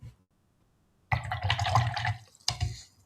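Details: Water splashes and drips in a small room after a short silence, with no animal sound present.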